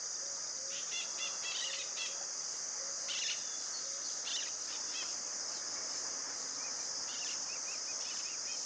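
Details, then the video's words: Common tody-flycatcher singing at Itatiba, São Paulo, Brazil, on 4 March 2018 at 09:00, recorded on a Panasonic HDC-HS80. It gives short clusters of dry, rapid ticking notes at intervals beneath a loud, steady high insect drone. "Canto do ferreirinho-relógio (Todirostrum cinereum)"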